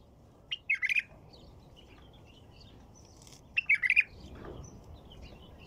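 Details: White-eared bulbul song: two short bursts of bubbling, warbled notes about three seconds apart, each a quick run of four or five liquid phrases, over a low background hiss.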